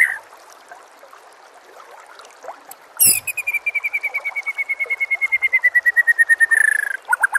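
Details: White-rumped shama song for training other shamas, with nature sounds and trickling water: after a quiet start, a sharp note opens a long rapid trill of repeated notes slowly descending.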